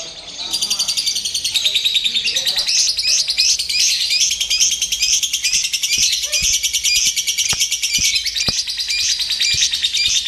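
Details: Lovebird exposed to a simulated singing contest, pouring out a continuous, very fast, high-pitched twittering stream for ten seconds, punctuated by several sharp clicks or taps.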